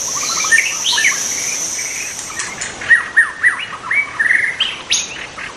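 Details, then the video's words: Song of a wild white-rumped shama: rapid sequence of clear whistled and warbled notes, several loud ringing syllables in the second half, with a high insect hum fading out and faint background chirps. "kicau burung murai batu di alam liar"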